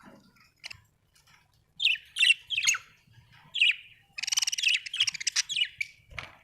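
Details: Happy budgerigar chirping: bursts of scratchy, buzzy chirps and squawks, some descending sweeps, with a dense rapid chattering run near the end and short quiet gaps between phrases.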